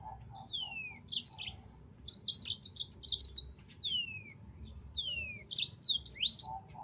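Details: Yellow-fronted canary training song: soft low piping notes at first, then high falling whistles mixed with quick scratchy trills and swooping phrases, over a quiet low rumble.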